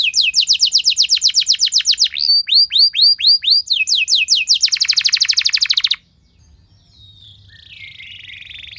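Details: Canary giving long, loud 'nembak' song to spur other canaries to sing: quick repeated high slurred notes, a string of looping whistles, then a rapid buzzy trill ending abruptly after six seconds, followed by faint noise.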